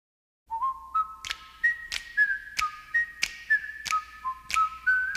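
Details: Black-bellied whistling ducks in Florida, which roost in trees at night and whistle to each other, give clear, high, wheezy whistles that overlap and step up and down in pitch, over sharp clicks repeating about every two-thirds of a second.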